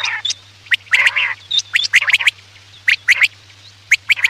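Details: Quail calling at night, played as a lure for hunting; quick bright notes in short clusters mixed with a rasping buzzy phrase, a constant low hum underneath.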